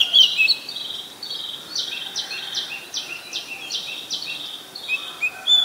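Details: Oriental magpie-robin, a very common resident, recorded in Ubon Ratchathani, Thailand, on 7 January 2021 with a Nikon P1000; high, blocky notes repeated in a steady run of about a dozen, each roughly a third of a second long.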